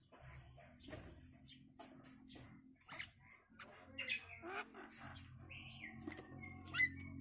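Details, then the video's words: Javan myna parents, free-flying kept birds, feeding their five-day-old chicks at a nest box, bringing grasshoppers and caterpillars; scattered short chirps and a few rising whistled notes over a steady low hum. "Indukan Burung Jalak meloloh Anaknya"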